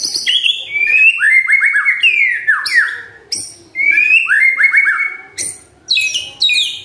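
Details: White-rumped shama song used in the morning to prompt silent shamas to sing: rich, loud whistled phrases sliding downward, fast varied notes with sharp high chips in between, delivered in rapid succession.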